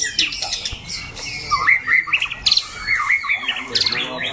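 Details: Competition white-rumped shama in a cage, loud and harsh-voiced, uttering scattered sharp whistles and squawky notes separated by short pauses.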